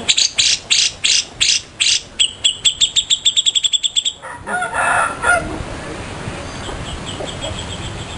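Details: Grey-cheeked bulbul (cucak jenggot), kept as a master bird for songbird training, giving a fast run of sharp, harmonic chip notes, about three per second, that speeds up and then breaks into a brief chattering phrase before fading to background hiss.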